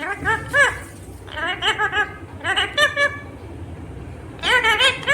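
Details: A pet talking rose-ringed (ringneck) parakeet, said to say "mummy papa", talks in high, nasal, squeaky bursts of speech-like syllables, four short phrases over five seconds, with faint room noise behind.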